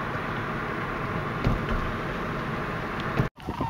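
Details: Steady vehicle engine and road rumble with a brief gap near the end; no animal calls are heard.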